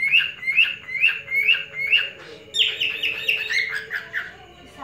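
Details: Male cockatiel in a breeding collection whistling to court a female: five clear, evenly spaced chirped whistles, then a louder, busier stretch of overlapping warbled notes, with a soft background hum.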